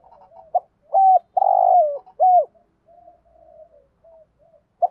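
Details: Spotted dove cooing, played to stimulate caged doves to call: low, soft coos, a few stronger hollow notes in a short burst, then quieter trailing coos.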